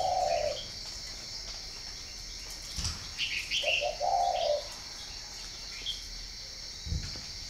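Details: Spotted dove from northern Vietnam giving low, soft coos: one brief note at the start, then a rolling three-part coo a few seconds later, against a steady high hiss and a few faint chirps.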